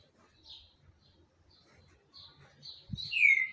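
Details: Green-winged saltator singing a lot: faint scattered high notes lead into a single loud, ringing whistle that slides downward, with a soft thump just before it.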